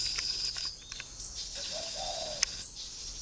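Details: Spotted dove at a bird farm in Ba Vì, Vietnam, uttering one low, mellow coo phrase: a short note, then a longer drawn-out note. Faint high chirps and background hiss are also audible.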